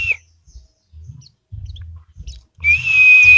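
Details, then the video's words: A captive white-eye (pleci) from Semarang gives a brief high whistle, then after a pause a sustained, slightly wavering thin whistle, with soft low knocks in between. "Pleci Dakun Gacor Isian Mewah"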